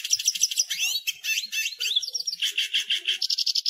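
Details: Hooded siskin song: a fast, continuous twittering of high warbled and trilled notes with rising and falling slurs, ending in a run of rapid repeated buzzy chips.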